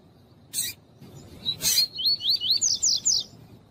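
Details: Double-collared seedeater, tui-tui song style, with a female calling, meant to warm up males for tournaments: two sharp clicks, then a rapid repeated sequence of rising slurred whistles stepping up to a higher register.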